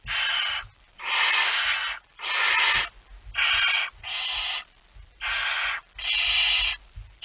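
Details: At night, 01:49 on 17 September 2019, a barn owl holding a mouse gives eight harsh, snoring hisses in steady succession, each about half a second to a second long, separated by brief quiet gaps with faint rustling.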